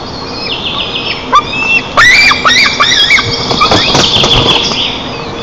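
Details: White-tailed eagles at a camera-watched nest in Lower Kama National Park, Tatarstan, Russia, on June 25, 2024, while the parents feed breakfast to their eaglets. Faint thin whistles are followed by a loud burst of shrill, wavering squealing notes over a steady background hum.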